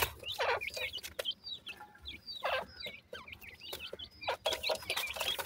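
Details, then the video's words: Francolin chicks feeding and playing in the evening: many short high chirps, some rising and some falling, overlap one another, with sharp clicks and rustling between them. "teter checks ki sound"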